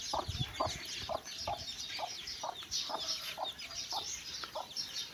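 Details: Mother hen calling her chicks for a walk: short low clucks repeated roughly every half second, over a dense background of high chick chirps and peeps.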